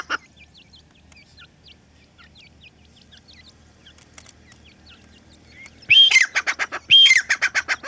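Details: Francolin chicks (teetar) making soft, wavy, high peeps spaced out for several seconds, then a loud burst of harsh, rapidly pulsed calls near the end, with two bright whistled notes.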